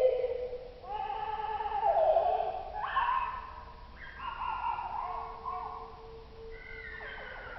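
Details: Oslo common blackbird singing, the recording lowered two octaves: a run of slow, warbling whistled phrases, some rising sharply and others wavering, with brief pauses and quieter sustained low tones beneath.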